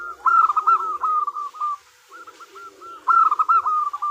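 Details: Local zebra dove, a female calling the male as a lure. A rippling burst of coos trails into slower, softer notes, then after a pause a second loud fluttering phrase begins.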